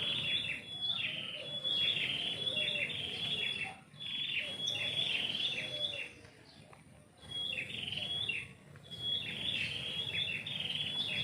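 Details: Melodious chirping from a tree in a house yard in the morning, high twittered phrases in several bursts with short silent breaks between them, a faint continuous high tone in the background.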